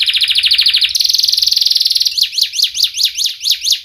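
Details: Lure song of a fast, tight-singing canary for young canaries learning sounds: a very rapid buzzy rolling trill, a higher faster roll, then a slower run of sharp, evenly repeated 'wit' notes.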